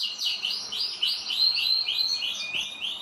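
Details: Several pet canaries singing together, a continuous rolling warble of rapid trills and rising-falling whistled sweeps, bright and high-pitched, unbroken for the whole stretch.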